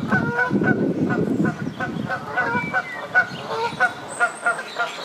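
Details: Canada geese bathing on the South Pond in Midhurst, West Sussex, England, give repeated nasal honks, several birds calling irregularly about every half second, over a low rumble of splashing water.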